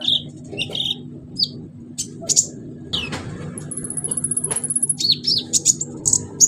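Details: Orange-headed thrush in lively song, used as a lure to get silent birds singing: varied high chirps, sharp whistled notes and quick buzzy rattles in short bursts, over a steady low hum.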